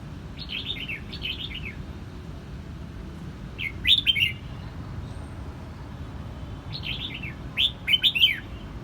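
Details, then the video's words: Song of a red-whiskered bulbul in Quang Nam, Vietnam: cheerful, liquid phrases of rapid slurred notes falling in pitch, given in pairs with short pauses, over faint low hum. "Vietnam bird is singing!越南广南戴帽鸟之歌"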